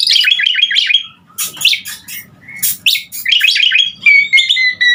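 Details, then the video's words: Asian pied starling singing strongly as a master bird for other songbirds. Quick, down-slurred chirps in a rapid row, sharp noisy bursts, then a clear, level whistle at the end. "Suara Jalak Suren Gacor Sangat Ampuh Buat Masteran Burung kicau Laen Nya"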